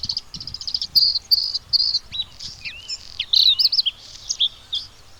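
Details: Bluethroat song opening with a run of high, buzzy repeated notes, then switching to varied twisting whistles that rise and fall, delivered in quick separate phrases.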